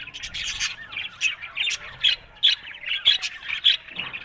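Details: Budgerigars calling, a run of short harsh squawks and chirps about every third of a second over a steady background of soft warble from the rest of the flock.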